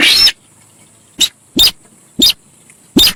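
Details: Javan pied starling heard as a lure sound: a loud raspy burst followed by four short, harsh chirps with a bright high tone, spaced unevenly under a second apart, with steady background hiss.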